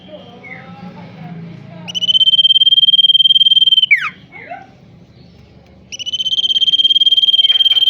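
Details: Male tailorbird, described as a vocal fighter, singing two long bursts of very rapid, even, high buzzy trill, each lasting about two to four seconds. Between the bursts come a few sharp down-slurred whistles, with faint background noise throughout.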